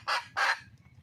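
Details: Two loud, harsh cackling notes from a wild red junglefowl hen seeking a mate, followed by quiet low rumble and a faint thin whistle.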